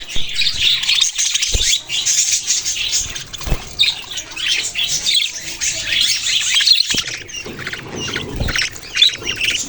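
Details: Budgerigars chirping: a dense, continuous flock chatter of high, scratchy warbles and squeaks, with a few brief low thumps between phrases.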